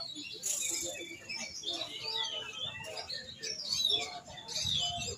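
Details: Oriental magpie-robin singing a mix of buzzy bursts, rising whistles and chirps, with faint human speech in the background.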